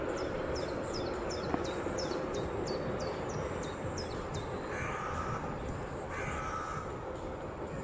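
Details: Carrion crow giving two harsh, hoarse caws about a second apart near the end, over a steady low traffic-like rumble, after a quick run of thin, high chirps from another bird.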